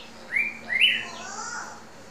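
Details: Hand-raised, tame male red-whiskered bulbul of a rare moss-green, black-crested form sings two bright, upslurred whistled notes in quick succession, then a softer falling warble, over a faint low hum.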